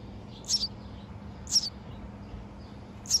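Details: Young baby birds in a backyard birdhouse in June 2024, fed by their mother, give three short, high-pitched chirps spaced about a second apart against a faint, steady low hum.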